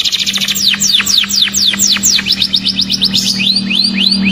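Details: Lively canary singing meant to provoke a quiet canary into answering. Quick, repeated high notes sweep sharply downward in fast series, then shift to short rising whistles. A constant low hum sits in the background.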